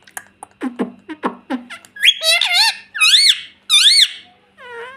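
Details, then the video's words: Green ringneck pet parrot talking in a room: a series of quick clicking beak or tongue sounds, then three loud, arched, harmonic calls about a second apart, ending with a softer wavy squeak. "Talking parrot || mummy mummy mitthu mitthu bolta tota"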